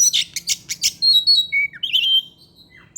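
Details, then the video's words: Caged Oriental magpie-robin singing in the afternoon as a lure song. Several sharp rapid chirps give way to long pure whistles at different pitches and a brief buzzy trill. "pancingan suara kacer"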